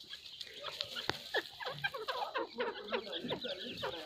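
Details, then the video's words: Grey partridge (Dakhni Teetar), a series of short chirping and clucking notes in quick, uneven succession, with several overlapping sharp calls throughout. "Dakhni Teetar | Grey partridge"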